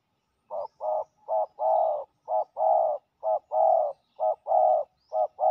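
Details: Territorial male spotted dove, fiercely defending its patch against a ground decoy, gives a fast run of mellow hollow coos, short notes alternating with longer rolled ones, roughly one a second, loud and dominant with faint high chirps behind.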